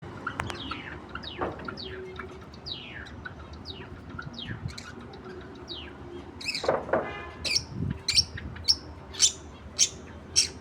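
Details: Pair of Australian budgerigars giving rapid chirpy chatter, a quick run of downward-sweeping whistled notes, then sharper, louder clipped chirps spaced about half a second apart toward the end, over a low room hum.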